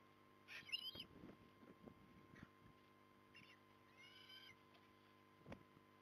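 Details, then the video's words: Eastern osprey at Port Lincoln, recorded 3 October 2020 at 07:11: a few short, high whistled call notes, faint against steady background hum and low thumping, knocking noises. "Port Lincoln Osprey"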